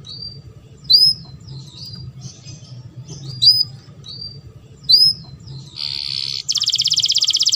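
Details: Canary in breeding condition, singing to stimulate mating: sparse, sharp high chirps every second or two, ending in a dense buzzy trill and a fast pulsing rattle.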